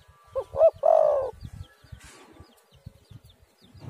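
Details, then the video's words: Spotted dove calling, used as a lure to get doves to call: two short rising hoots and one long throaty coo in a single phrase. Soft low knocks and faint rustle follow in the quiet background. "tekukur super gacor suara burung derkuku"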